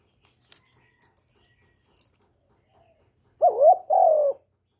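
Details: Captive Vietnamese spotted dove cooing, recorded to stir other caged doves into calling: near-silence with faint clicks, then one closing pair of low coos, a short wavering note and a longer falling one.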